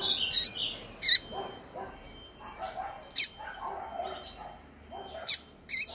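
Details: Double-collared seedeater; female call; female calling to stimulate males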